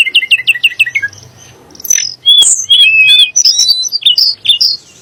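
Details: Sunda blue robin singing to rouse magpie robins into song: opens with a quick series of identical descending chirps, then after a short gap bursts into loud, varied whistles and trills.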